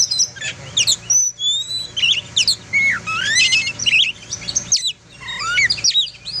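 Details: Melodious oriental magpie-robin singing, used for tutoring other birds: rich varied phrases of sweeping rising and falling whistles, quick trills and chirps, with a long upward-slurred whistle near the end, steady faint background hum.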